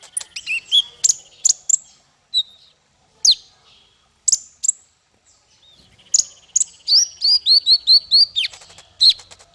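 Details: Bird song played to train small fighter birds: scattered sharp high chirps with quiet gaps, ending in a rapid, regular series of bright, piping notes.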